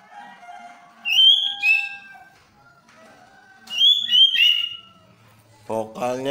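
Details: Captive white-rumped shama, albino and blorok mutation birds, giving clear sustained whistles and short warbled flourishes separated by pauses; a harsher burst of sound is heard at the very end.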